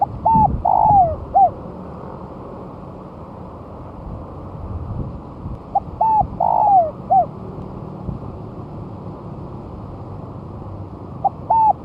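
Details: Lure song of a spotted dove one month after moulting: three cooing phrases, each of two or three short hooked notes leading into a drawn-out falling coo, separated by pauses of about five seconds, with quiet rustling between.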